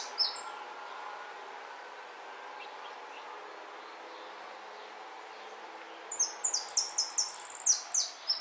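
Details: Contest jilguero, El Federal 2013: after about six seconds of low murmuring background, a quick burst of very high, sharp, repeated notes with short downward slides.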